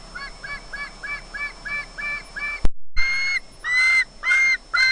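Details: Willow, an osprey at Loch Garten, Scotland, makes squealy sounds as if expecting fish: a run of short, squealing whistled notes about three per second, then louder, longer drawn-out squeals after a brief knock.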